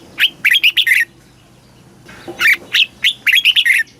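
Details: Caged Red-whiskered bulbul singing a southern Thai master-style song, played to excite caged birds and teach young birds: two bursts of bright, rapid, slurred whistled notes around a second long, separated by a pause, over faint low hum.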